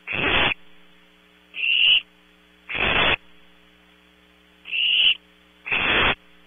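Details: Nighttime recording of barn owl owlets at Audubon Starr Ranch, California: short breathy screeches spaced irregularly, roughly one each second or two, mixing rough noisy hisses with narrower whistled rasps, against a faint electrical hum.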